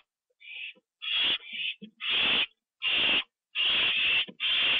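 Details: Night scene at an owl nest, 9:54 PM, October 9, 2011, with a bird delivered and eaten inside. Overlapping harsh screeches and hisses, long and dense, with small scratchy sounds between them.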